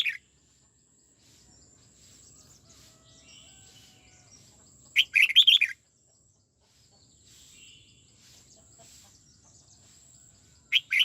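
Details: Red-whiskered bulbul in song training, '89' twisting style: a single bright, tumbling warbled phrase in the middle of a mostly quiet stretch, with soft background chirps and a constant high-pitched whine.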